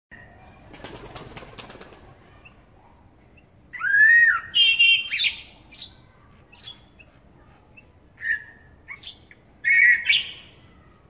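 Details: Eurasian blackbird: a burst of wing flapping, then a few loud warbled phrases with sliding, harmonic-rich notes around the middle, ending in squeaky high twitters, separated by quiet gaps.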